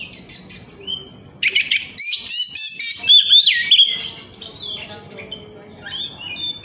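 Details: Oriental magpie-robin singing in full voice, used as a lure to get other birds singing: a rich, rapid run of varied whistles and sweeping notes, some buzzy, in a loud burst after a quieter start.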